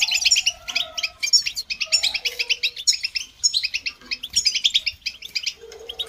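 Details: European goldfinch song for listening and training birds: crisp, high, evenly spaced chirps in quick runs, with scattered soft lower whistled notes between the phrases.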